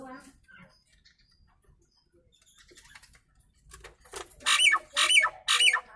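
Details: Nias hill myna, quiet scattered notes at first, then a burst of three loud, rasping squawks about half a second apart, each ending in a dropping whistle-like tone.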